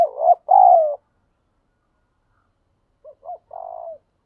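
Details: Spotted dove in the wild giving thúc gù cooing: a loud short coo and a longer, falling husky coo, then after a gap two faint clipped notes and a soft, drawn-out coo.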